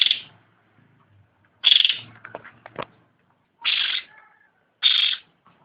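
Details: Cucak ranting singing vigorously: loud raspy, hissing bursts spaced one to two seconds apart, with soft clicking notes trailing after the second burst.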